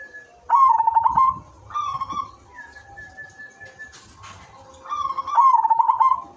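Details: Silver zebra dove singing melodiously as a lure for other doves: a loud trilled coo, a softer echoing phrase, a pause with a faint steady tone and a brief noisy burst, then another loud rolling trill.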